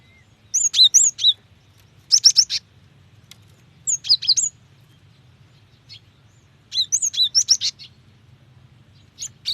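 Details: Cinereous tit female calling the male, used to draw song from wild or young birds: clusters of rapid, high, looping chirps about every two seconds, with brief silences between them.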